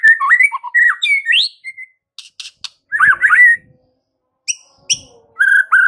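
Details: White-rumped shama masteran recording: bright varied whistled phrases with up-and-down slides, brief clicks and rustles, a short gap, then a few sharp high notes and a closing whistle.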